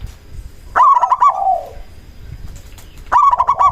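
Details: Local Indonesian zebra dove, a lure bird whose call makes other doves answer. It gives two bursts of rapid, stuttering coos near one pitch. The first ends in a lower, drawn-out trailing coo, and the bursts are separated by quiet background.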